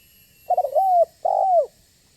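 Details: Single loud phrase from a banggo-type spotted dove used to entice other doves to call and approach: a rapid stuttering run of notes sliding into a long falling coo, then a second full descending coo, in a quiet background.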